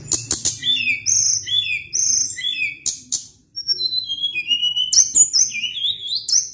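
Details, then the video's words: Sunda blue robin in energetic, long-running song: sharp clicking bursts, high whistles gliding down in steps, brief pauses, then a fresh rush of varied squeaky and whistled phrases. "Ocehan Tledekan Gunung gacor"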